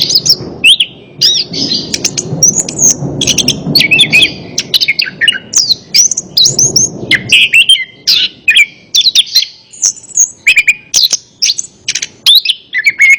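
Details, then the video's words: Orange-headed thrush song meant to coax a silent bird into answering: rapid varied whistles, slurred notes and chattering bursts in quick succession, with a low rushing noise during the first half that then falls away. "Terapi Burung Anis Kembang | Atasi Burung Anis Kembang Malas Bunyi Ikut Nyaut"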